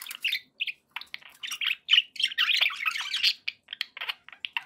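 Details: Budgerigars in a happy mood give rapid bursts of scratchy chirps and warbled twitters, separated by short silences, several notes per second.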